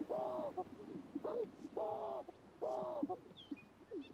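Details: Greater Sage-Grouse males at a spring breeding lek, displaying to attract females and intimidate rival males; a series of loud bubbly, swooping gulps repeated roughly every second, separated by quieter low popping sounds, with a faint high chirp near the end.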